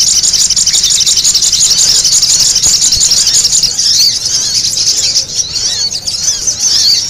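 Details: Spiderhunter (sogok ontong), a noisy lure recording for attracting birds: shrill, high chattering notes pour out almost continuously, with rapid clipped phrases and short downward-sweeping squeaks, about two per second, thinning slightly toward the end.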